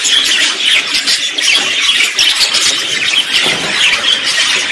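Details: Chattering budgerigar song, part of a mix of contact and courtship singing: thick layers of shrill squeaks, short whistles and buzzy chirps running continuously.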